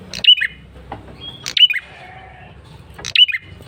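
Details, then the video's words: Male bar-winged prinia giving a persistent lure call: sharp, bright chirped notes with a quick downward twist, repeated about every one and a half seconds, with faint nasal harmonic tones between them. "Suara PIKAT prenjak kepala merah jantan GACOR NGOTOT"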